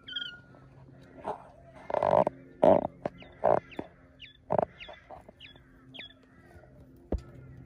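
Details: Two-week-old baby quail chicks at play in Australia give thin, high, falling peeps every second or so, between louder dull thumps and scuffling.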